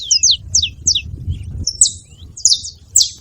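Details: Saffron finches in the wild at a food spot, a few clear, high descending chirps in pairs, spaced about half a second apart, over a low rumbling background.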